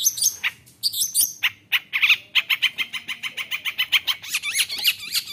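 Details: Long-tailed shrike in aggressive song meant to provoke other shrikes, opening with harsh scratchy bursts, then a fast steady series of repeated chattering notes, several per second, ending in high squeaky notes.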